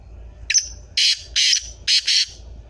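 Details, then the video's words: Harsh, hoarse call of a black francolin (kala teetar): a clipped opening note followed by four strong, scratchy bursts grouped in two pairs, evenly paced, with little other sound. "Kala teetar voice || kaly teetar ki awaz kaly teetar boliyan"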